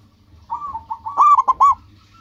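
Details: Singing local zebra dove used to call rivals: soft opening coos build into three loud, clipped, stuttering notes, with a faint low hum behind.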